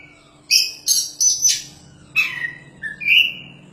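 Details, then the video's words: Energetic song of a champion Oriental magpie-robin: high, scratchy buzzing notes, a crisp whistle, then mellow lower whistled phrases after a short break, over a quiet background hum. "BURUNG KACER JUARA GACORRR PAS BUAT MASTERAN"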